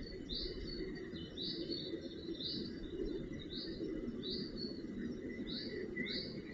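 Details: Recorded 4 June 2018 while adults cared for northern goshawk fledglings at the nest. Shrill upward-sweeping calls repeat steadily, close to once a second, above continuous low environmental rumble.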